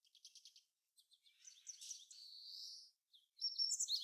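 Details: Japanese Meadow Bunting, a field and grassland bird: a soft quick series of high ticks, a few scattered notes, then a buzzy sustained high phrase and a final loud cluster of sharp, high chirps.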